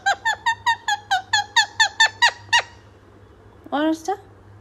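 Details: Talking parrot repeating a short, nasal, harmonic note about eleven times in quick, fairly even succession. After a brief pause comes a louder, longer rasping squawk with a rising tone.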